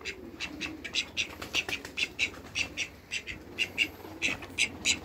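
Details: Call ducks kept on a farm alongside a pair of Muscovy ducks, giving rapid, harsh, nasal quacks in quick bursts several times a second over a low, steady background hum.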